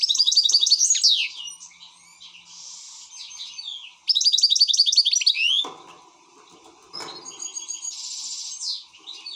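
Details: European goldfinch, excited, singing loud bursts of rapid twittering and buzzy notes, with a couple of knocking thuds partway through, after which softer song continues.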